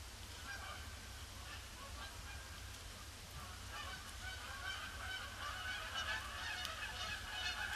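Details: Huge influx of Canada geese over a pond on a grey Boxing Day, circling before landing; a continuous din of many honking birds that grows louder toward the end, over low background rumble.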